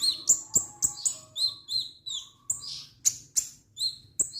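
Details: Kemade, the orange-headed thrush, singing in spirited style: a string of clear high whistled notes, each sliding down, given several times a second, with a faint lower tone in places.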